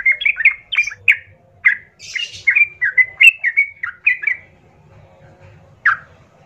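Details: A sooty-headed bulbul sings a chattering lure phrase intended to provoke rival bulbuls: quick run of liquid whistled notes with one harsher buzzy note, a quiet gap, then a single sharp note; faint low rumble underneath.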